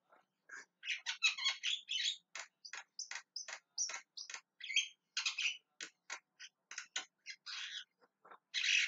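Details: Javan myna calling with a quick, uneven stream of dry chirps and rasping squawks, some softer, ending on a loud harsh burst.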